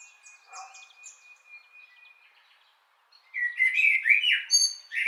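A common blackbird bursts into rich, fluty warbled phrases after a quiet start with a faint thin whistle and distant chirps.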